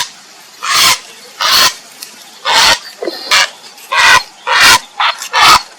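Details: Grey heron (Ardea cinerea) calling to find a mate, giving loud, coarse, rasping squawks in an uneven series of about eight, each roughly a quarter second long, with short gaps between.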